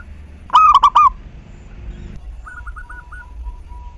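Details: Local zebra dove singing as a lure for other doves. One loud phrase of four rolling coos, then a faint distant series of short coos.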